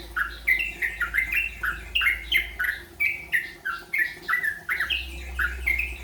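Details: Learning the rolpen style, a yellow-vented bulbul gives a continuous chain of clear whistled notes, rhythmically repeated about three times a second, pitch stepping up and down between phrases; low hum underneath.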